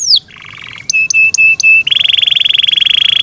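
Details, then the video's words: Caged Yorkshire canary singing: a falling whistle, a buzzy trill, several short level whistled notes repeated about every quarter second, then a long rapid rolling buzz. "Yorkshire canary Nice sound"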